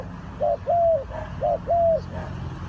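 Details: Spotted dove (cu gáy) in a bird-trapping setting, Ninh Thuận, Vietnam: low hollow coos in two phrases, each a short note followed by a longer drawn-out level note, about one phrase per second, over soft steady background hiss.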